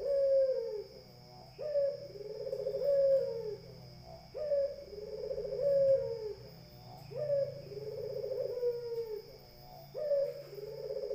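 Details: Repeated throaty cooing from a Barbary dove, said to provoke other birds. Each phrase has a quick upward note and then a long, vibrating, descending tone, coming roughly every two and a half seconds with a steady electrical whine behind.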